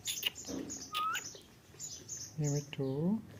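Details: A talking ringneck parrot gives a brief rising whistle, then two short raspy, voice-like phrases in imitation of speech. Faint chatter and background noise are heard between them.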